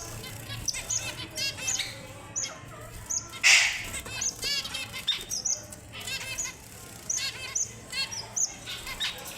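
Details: Strawberry finch, or red avadavat, singing sweet, high-pitched whistles mixed with fast buzzy twittering trills. One louder rustling burst comes near the middle, and soft chirps repeat throughout.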